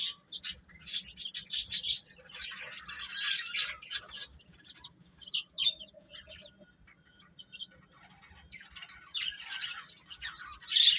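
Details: Baby chicks peep in bright, high bursts at the start and end, with a quieter stretch of scattered softer cheeps in the middle.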